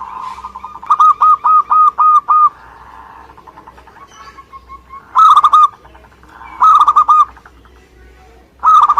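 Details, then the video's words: Zebra dove, a local Indonesian perkutut, singing energetically. It gives a steady string of about six rapid, rounded coos, then shorter paired-note phrases after a soft trilling interlude. There is faint background hum. "Suara Gacor perkutut lokal"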